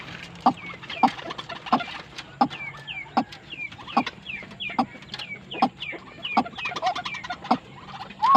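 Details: White-breasted waterhen, described as tame yet fierce, gives a run of clipped repeated notes with rising squeaky calls between them, the rhythm loose and uneven.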